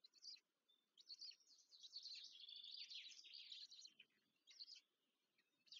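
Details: Black stork chicks begging as they are fed at the nest near Łódź, Poland, on 14 May 2023. High, chattering and wheezy calls come in bursts, with a long continuous run in the middle and short squeaks after it.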